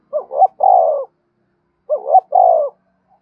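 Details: Spotted dove cooing for decoy-bird training: two identical phrases about two seconds apart, each a short wavering two-part rise followed by one sustained, gently descending coo, on a silent background.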